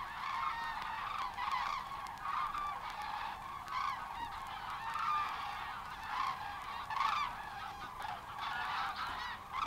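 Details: Common Cranes in a field recording from Matsalu, USSR, issued in 1979: overlapping trumpeting, honking calls from several birds rise and fall in waves throughout, forming a continuous chorus.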